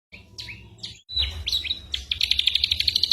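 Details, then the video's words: Ashy drongo, a tutor recording for training songbirds such as magpie-robins during moult, mimicking a mix of sounds: scattered high chirps and slurred notes, then a quick run of about ten bright, evenly spaced ticks. "burung masteran srigunting abuabu / saeran_abu"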